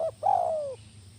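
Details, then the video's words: Spotted dove, a kuk 1 lure bird, gives the tail of a short note, then a single long coo that glides gently downward, with a low hum behind it. "suara burung tekukur masteran kuk 1 GACOR"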